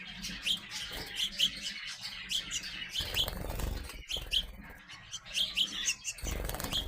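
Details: Growing young sparrows chirp in quick bursts of two or three sharp notes, pausing between groups, with occasional thumps and rustling in the background.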